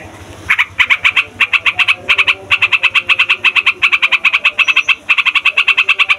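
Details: Noisy yellow-vented bulbul song used to call wild bulbuls: after a quiet start, rapid chattering notes burst out in clusters of four to six, almost without pause.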